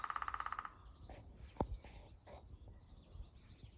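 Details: Lesser spotted woodpecker at Dalby, Sweden, April 19, 2022, giving a short rapid roll of about a dozen evenly spaced knocks lasting under a second, followed by a brief thud and quiet outdoor background.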